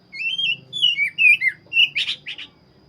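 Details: Oriental magpie-robin with a black breast singing sweet whistled phrases with downward slurs, followed by two harsh, scratchy bursts near the end.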